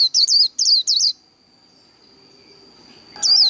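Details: Japanese white-eye giving 'líu đấu' song: three quick, high whistled phrases of twisting up-down notes, then a long quiet gap with a thin steady tone before another high slurred burst begins.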